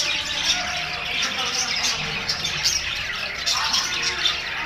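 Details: Budgerigars in a group calling at once, an unbroken, busy mix of scratchy chirps and squawks, evenly loud from start to finish.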